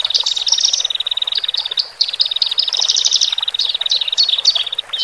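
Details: Male and female Horsfield's bush larks in song, played to help newly separated caged birds settle: a fast, steady buzzy trill runs throughout, overlaid by short sliding whistles and higher rising notes.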